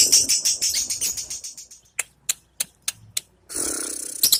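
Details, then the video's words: Lovebird sunbathing and practising in the blazing midday sun; fast high chattering trill slowing into sharp separate clicks, ending in a harsh rasping burst. "LOVE BIRD BERJEMUR SAMBIL BERLATIH"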